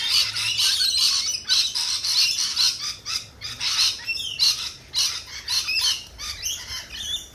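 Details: Lorikeets at a cafe in a dense, continuous chorus of harsh, rasping screeches, pulsing in rapid loud bursts about twice a second with no real pauses.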